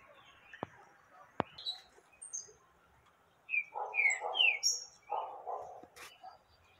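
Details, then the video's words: A female yellow-bellied seedeater calls to stir a male, giving scattered high chirps and brief slurred notes. A few sharp clicks appear early, and lower, rougher chattering bursts come midway. "Femia fogosa pra levanta papa capim"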